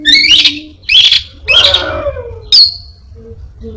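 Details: Orange-headed thrush imitating other birds and a cat: a few loud harsh, squawky bursts and a falling nasal note, followed by a short sharp whistle, with brief pauses between phrases.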